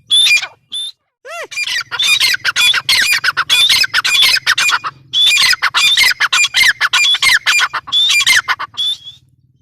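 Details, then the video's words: Grey francolin giving loud, harsh, rapidly repeated squawking notes in dense bursts, with brief tonal whistled sweeps, a short pause near the start, and a faint low hum beneath. "Teetar sound | teetar awaz | teetar ki awaz | gray francolin teetar sound"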